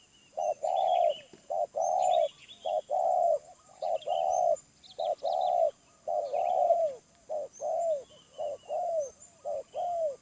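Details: Wild spotted dove of medium-pitched voice cooing continuously in rhythmic short-long pairs, the long coos curving downward; small birds twitter faintly behind.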